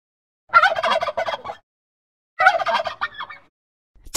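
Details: Turkey gobbling in two rapid, rattling bursts of about a second each, separated by a short pause, with rich harmonics and a quick bubbling rhythm.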